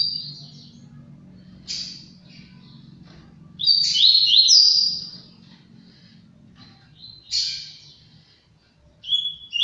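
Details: Double-collared seedeater, a bird from a breeding aviary: separated high whistled and chirped notes scattered over ten seconds, with one longer bright warbled phrase near the middle, over a low steady hum.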